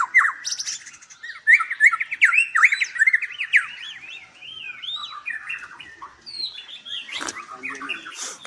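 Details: White-rumped shama in a large breeding aviary in Palembang, Indonesia: a fast run of bright, bouncing whistled notes that fades into softer chattering twitters, with a sharp clatter near seven seconds.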